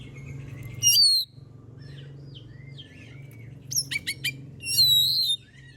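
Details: Kacer, or oriental magpie-robin, singing as a lure to draw song from other birds: a loud slurred whistle, a series of quick sharp clicks, then another long whistled phrase over low hum.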